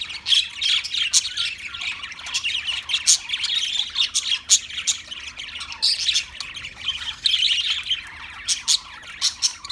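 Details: Budgerigar, an Australian parrot, in lively chattering song with rapid, scratchy warbles and frequent sharp, high chirps repeated throughout.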